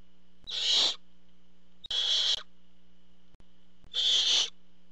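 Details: Barn owls at the nest as the parent delivers food, three harsh broadband hissing screeches, each under half a second, spaced roughly every one and a half seconds above a constant hum.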